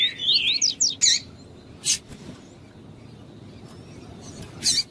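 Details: Double-collared seedeater, with a female calling to stimulate a male: a brief burst of high, quickly slurred whistled notes at the start, then scattered sharp clicks and chips with quiet gaps between.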